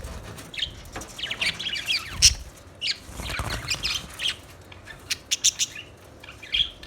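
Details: Budgerigars chirping in short, scattered bursts of high, scratchy chirps and squawks, with rustling and low thumps between them and a quick series of clipped notes toward the end.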